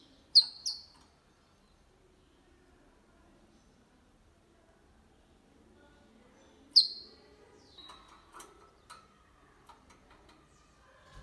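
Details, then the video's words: Goldfinch × canary hybrid in Malaga-style song, sung clean without errors: two loud, sharp, high chirps, a long pause, then another pair followed by softer quick high notes. "Mixto jilguero cantando copia malaga _ Hybrid of goldfinch singing for training songs"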